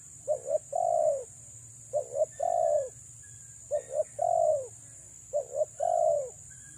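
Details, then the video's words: Female spotted dove calling to lure birds in, repeating four times a paired short coo followed by a longer rolling note, phrases roughly every 1.7 seconds, over a continuous high tone. "BURUNG TEKUKUR BETINA PREM4N MENGH4JAR PIKAT‼️"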